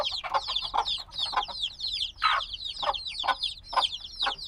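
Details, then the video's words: A group of black chicks a few days old peeps nonstop; bright downward-slurred chirps pile up in a dense chorus, with repeated dull lower bumps and one louder harsh burst midway. "Baby Chicks Sounds - Baby Chicken Chirping Noises"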